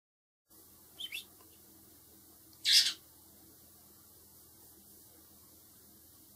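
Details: Four hand-raised baby blackbird nestlings, to be released later, giving brief shrill high begging squeaks: a faint double chirp, then a louder harsh burst, with quiet indoor hum between.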